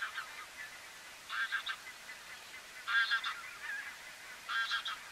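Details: Grey heron (Ardea cinerea cinerea) in the Netherlands at Strijen, February: three harsh, rasping croaks spaced about one and a half seconds apart, each short and hoarse, over a faint steady background hiss.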